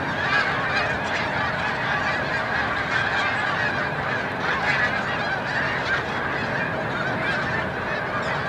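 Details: Snow geese at Montezuma, New York, during migration on 7 March 2022, calling en masse: a thick, wavering wall of yelping honks that swells slightly now and then.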